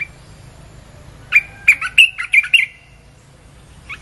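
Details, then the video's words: Used to lure wild birds, a Red-whiskered bulbul sings one lively phrase of six or seven rapid, squawky, warbled notes in the middle. One faint note follows near the end. "เสียงนกกรงตาแดงEp.252 เปิดล่อนกป่า"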